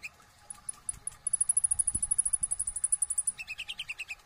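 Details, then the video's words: Brown-throated sunbird (kolibri ninja) in gacor ngobra song: a few spaced high notes build into a fast, thin, very high trill of about twenty notes, ending in a short lower warble; some faint low rumbling. "KONIN NGOBRA GACOR ISIAN FULL TEMBAKAN"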